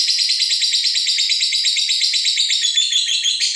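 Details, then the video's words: Female fighter lovebird ngekek, the trill used to stir other birds: a fast, even stream of shrill, buzzy pulses, steady in pitch throughout. "Lovebird Betina Fighter Ngekek Untuk Membuat Emosi Burung Anda!!"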